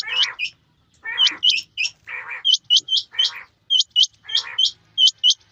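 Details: Male and female quail in rain trade two sounds: short, harsh, buzzy bursts alternating with high, sharp whistled notes that flick up and down, often in quick pairs.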